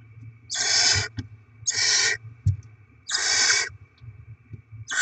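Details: Three long, harsh, breathy screeches from barn owls at the nest during rodent deliveries and chick feeding, dated 7 February 2024. Short clicks and soft thumps fall between the calls, over a dull low hum.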